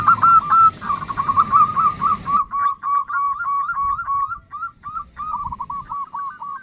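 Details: Female zebra dove (perkutut) calling to a male with a 'nutut' call: rapid, stuttering coos repeated several times a second, with a low rumbling background noise over the first two seconds.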